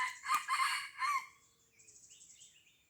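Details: Aceh red junglefowl, an old 'laga ori' bird from Blang Ulam, Krueng Raya, gives a brief harsh three-part crow, followed by a softer run of thin high chirps from another bird.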